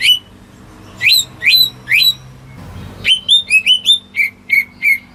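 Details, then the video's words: Greater green leafbird kept at home, song used to prompt silent birds to sing: loud clear whistled notes around mid-high pitch, some upslurred, followed by a quicker run of short chirps; quiet background. "Cucak Ijo Rumahan Yang Cocok Buat Pancingan Burung Macet"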